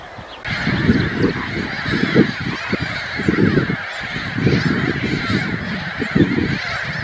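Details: Glossy ibis uttering a near-continuous series of deep, rough, honking grunts in irregular bursts every second or so, with a constant higher-pitched chatter of other birds in the background.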